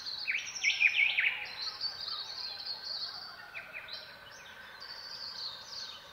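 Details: Dawn birdsong of silvereyes in the southwest, a busy stream of high, rapid chirps and trilled warbles from several birds at once, loudest at the start and then softer.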